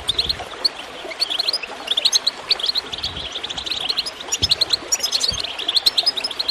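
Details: Goldfinch chirping over gurgling water, played to encourage other birds to sing: dense, rapid high twitters and tinkling notes in quick bursts, with soft splashing thuds beneath.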